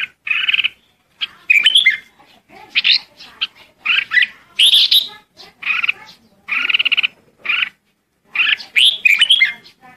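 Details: Red-whiskered bulbul calling the flock: loud, warbled chattering phrases, each about half a second long, repeated with short pauses, some with harsh buzzy edges, with no other clear sounds.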